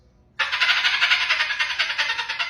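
A cockatoo mimics a dolphin with a harsh, rapid chattering burst that pulses about ten times a second.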